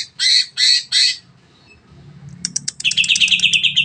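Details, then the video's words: Long 'nembak' song of a greater green leafbird, used to spur other birds into singing: three loud harsh chirps, a short pause, then sharp clicks building into a rapid high trill about three per second, low hum behind. "CUCAK IJO NEMBAK PANJANG PAS BUAT MERANGSANG BURUNG LAIG AGAR CEPAT BUNYI"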